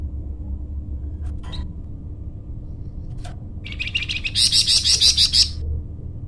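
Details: Lively flamboyan bird, its song used to lure or tutor birds: a few soft clicks, then a rapid high trill of evenly repeated pulsing notes, growing louder for about two seconds, over a steady low hum.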